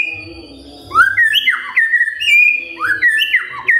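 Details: Morning magpie-robin song meant to prompt silent birds to join in: fluid, rising and falling whistled phrases in the middle range, repeated with slight variation over a faint low hum.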